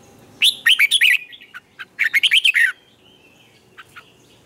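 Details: Training song of a red-whiskered bulbul sung in the morning, a tight twisted double-note lure song: two rapid runs of sharp, warbling chirps close together, then a few soft isolated notes trailing off.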